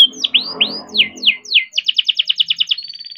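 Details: Young canary bred and kept in captivity, singing lure song for stalled or learning canaries; upward-swooping and downward-sweeping whistles give way to a rapid, evenly repeated trill and a thin, high sustained note, with faint background murmur.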